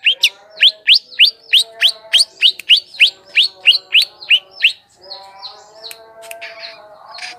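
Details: As a lure for wild birds, a long-tailed shrike repeats a sharp up-slurred whistle about three times a second for nearly five seconds. Softer scattered notes and a low hum follow.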